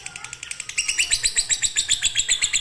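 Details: Lovebird in konslet fighter style, a master to stir lazy birds to sing: quick, sharp chirps that swell into a louder, buzzy, rapid chatter.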